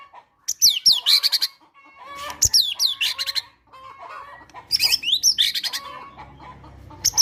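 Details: Fighter-type white-rumped shama in full song with cinereous tit (gelatik batu) imitations, used to draw out quiet caged birds: repeated bursts of swooping whistles and fast chattering trills with short gaps.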